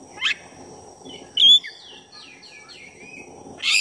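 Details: Oriental magpie-robin, black-breasted form, singing as a lure to excite another bird: a harsh rasp, a bright whistled note, then a run of quick descending whistled slurs ending in another rasp.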